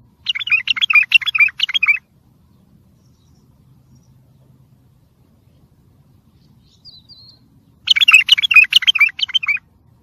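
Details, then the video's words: Training song for bulbuls: two bursts of fast, scratchy, chattering warbles, each lasting under two seconds, separated by about six seconds of quiet, with a faint short chirp in the gap. "سمع بلابلك طياريات سيحان روعه صوت ماينوصف للتخريج وتحفيز"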